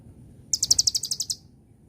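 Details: Van Hasselt's sunbird (kolibri ninja, konin) singing a celilin-style song used as tutor audio and to prompt other birds to sing: one rapid, very high, ringing trill of about ten sharp notes lasting under a second, with a faint low hum beneath.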